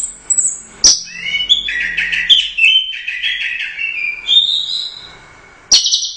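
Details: Orange-headed thrush, first place at the Royal Cup, sings in gacor teler doyong style, rolling through rich mid-pitched warbles and rising whistles, punctuated by sharp clicks.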